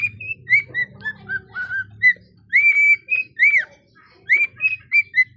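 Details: Cockatiel (Nymphicus hollandicus), song.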